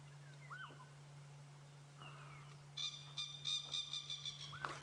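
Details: Coqui Francolin calling at sunrise on a morning safari drive on 22 October 2016, well camouflaged near the track: a few short rising notes, then a harsh, pulsing cackle, over an idling vehicle engine.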